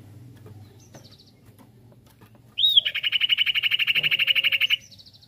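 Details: Singing sirtu, a lure meant to set other birds singing: after faint high notes, a loud rapid rolling trill of regular pulses runs steadily for about two seconds before stopping abruptly.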